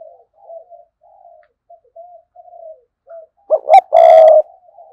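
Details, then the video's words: Decoy spotted dove in 'sa gù' and 'thúc bổi' style: a run of soft, wavering murmurs, then two sharp clipped notes and a loud, steady coo. "Chim Cu Mồi cườm sa gù + thúc bổi nghe là phải gáy"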